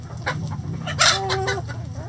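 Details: Chickens in a coop giving sharp loud clucks with a harsh burst in the middle and short level tones after, above a low background hum.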